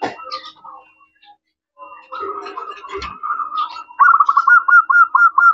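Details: Local zebra dove in full song, used as a lure to draw answers from other doves: soft scattered notes at first, then a run of mellow cooing that turns into loud, rapid, rhythmic trilled coos at the end.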